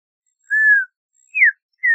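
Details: Audubon's oriole (Icterus graduacauda) singing: three clear, unhurried whistled notes, the first a long, level, slightly falling slur, the second dropping steeply, the third cut off at the end, with silence between.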